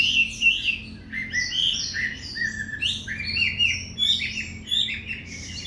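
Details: White-rumped shama kept for breeding, singing in the afternoon with varied fluty whistles and quick rising slurs jumping between pitches, a continuous energetic medley over low background hum.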